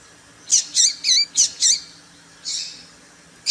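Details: Quick series of five bright, high chip notes from a female papa-capim seedeater, then a softer buzzy note and one more chip. The call is used to get males excited and singing.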